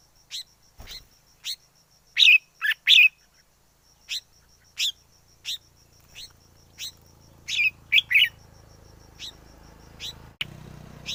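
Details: Wild red-whiskered bulbul gives a string of short, clipped chirps at irregular intervals, broken by louder tumbling double notes. A low rumble grows in the second half, and a sharp click sounds near the end.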